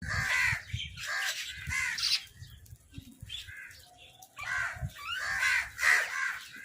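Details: Crows fighting over food give harsh, rasping caws in quick overlapping bursts, several birds squabbling at once, with a pause midway before the racket resumes.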